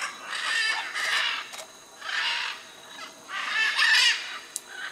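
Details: Macaws at the Chuncho clay lick on the Tambopata River, Tambopata National Reserve, Peru, where blue-and-yellow, red-and-green and scarlet macaws were seen, give harsh, raucous squawks in overlapping bursts about a second long, several birds calling together in a noisy chorus.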